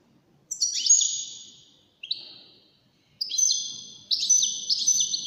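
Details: Competing in a five-bird wdaniya song contest, a European goldfinch sings four separate high phrases of twittering, slightly buzzy notes, each fading out, with short silent gaps between them.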